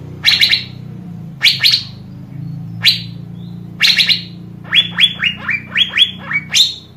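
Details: Asian fairy-bluebird recorded to prompt other birds into song: loud falling chips in pairs, then a rapid run of seven shorter descending whistled notes, over a steady low hum.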